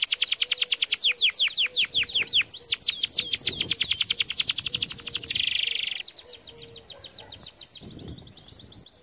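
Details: Training song of a canary: quick runs of falling whistled sweeps, a brief buzzy tour in the middle, then more rapid sweeps; a soft low repeated note sounds in the background.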